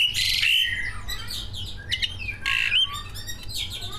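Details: Greater green leafbirds, two captive prize birds, recorded singing full mimicked song to provoke other birds: a dense, busy medley of high chirps, sharp whistles and rapid twittering phrases, with a low background hum.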